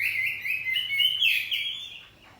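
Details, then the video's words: Caged kacer poci oriental magpie-robin in loud ngeplong song with answering phrases: a continuous rich warbling stream that fades away at the end. "Kacer ngeplong saut2an || kacer poci rumahan || suara kacerpoci || burung kacer"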